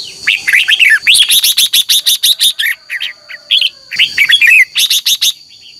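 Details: Red-whiskered bulbul in energetic morning contest singing, used to stimulate caged birds to sing: long, dense run of rapid chattering, slurred whistled notes in quick pulses, a short pause, then more warbling phrases.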